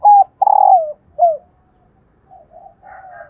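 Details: Spotted dove hen calling to encourage caged males to coo: a clipped hoot, a long burred coo gliding down, and a short falling note. After a pause come faint, softer cooing notes.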